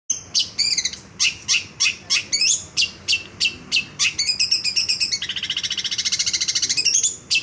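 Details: Young long-tailed shrike ('bahan') in vigorous 'gacor' song with a full repertoire of material: sharp, separate high chirps repeated about three per second, then a rapid buzzy trill wavering in pitch near the end.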